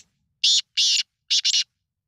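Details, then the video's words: Black francolin from a calling competition in Punjab, Pakistan, recorded 9 February 2023, giving a loud rasping phrase of four harsh notes, the last two run closely together, with clean silence around them. "Kaly Teetar ka Bolney Ka Muqabla||Black Farncolins voice competition"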